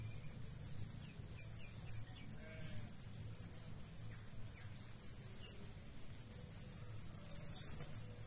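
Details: Blue-black grassquit chicks begging while a pair of parents feeds them; thin, very high squeaks pour out in rapid, pulsing bursts almost without pause, over a low steady background hum.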